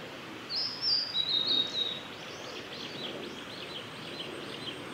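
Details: Male Blue-and-white flycatcher singing on the Kanazawa forest road by Lake Miyagase, Japan, on 3 May 2020. A clear, high whistled phrase with quick slurred notes is followed by faint, fading, repeated notes, against steady environmental hiss.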